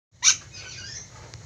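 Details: Ornate lorikeet, an eastern Indonesian endemic parrot, gives one short, harsh, rasping screech that cuts off abruptly, followed by low background hiss and a faint tapping sound.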